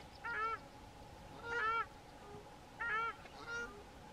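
A pair of South African Shelducks trade four nasal, goose-like honks, roughly one every second or so, over a steady low hum.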